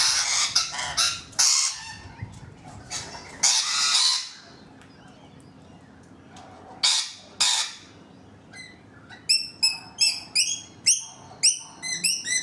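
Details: On a balcony, a pair of rainbow lorikeets gives loud harsh screeches in the opening seconds, goes quiet, screeches twice more, then breaks into quick strings of clipped, squeaky chattering notes.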